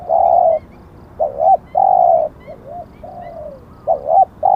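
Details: Spotted dove decoy cooing: a long flat hoot, a rising double coo, another long hoot, soft lilting notes and a descending slur, with faint thin chirps of other birds above.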